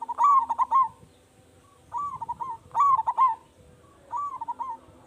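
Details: Big-voiced local zebra dove, used as bait to draw answers from other doves, delivers loud rolling pulsed coos followed by softer shorter phrases, about four bursts in quick succession against a quiet background.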